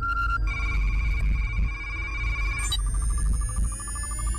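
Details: An electronic ringtone-like melody of steady, sustained tones that shift in pitch partway through, over a low hum, with no animal voice.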